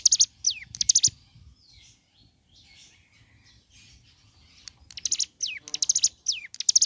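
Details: Ciblek gunung morning song, played to stimulate other ciblek gunung. Loud bursts of buzzy notes with dropping whistled slurs open and close the stretch, with a few seconds of near-quiet between.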